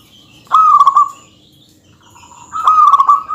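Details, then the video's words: A lively local zebra dove sings a dense song meant to anger and tease an opponent. Two loud rolling, stuttering coos sit about two seconds apart, each a quick wavering trill held at one pitch. "suara kutut yang bikin emosi lawan perkutut lokal gacor suara padat menggoda lawan"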